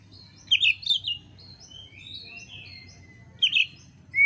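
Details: Indonesian oriental magpie-robin singing, used as training material for songbird keepers: a quick cluster of sharp chirps, then a run of thin high whistled notes stepping along, a second chirp burst near the end, with a soft low hum beneath.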